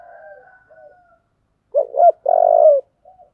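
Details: Spotted dove, song style called 'giọng thổ': soft fading coos, then a loud phrase of two short notes and a long, even coo, ending with a faint brief note.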